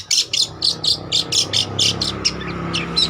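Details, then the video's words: Long-tailed shrike singing, used as a lure or master recording: about ten evenly spaced harsh, hissing bursts in quick succession, growing quieter over a constant low electrical hum. "Burung Cendet Trotol Gacor Untuk Pancingan atau Masteran Juga Bisa"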